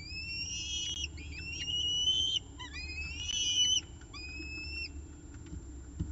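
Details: Peregrine falcons at their nest during the evening meal, on a nest camera in Orange, 18 October 2018 at 6:51 pm. Several slurred whistled wails of varying length, some rising and some dropping, with short gaps between them.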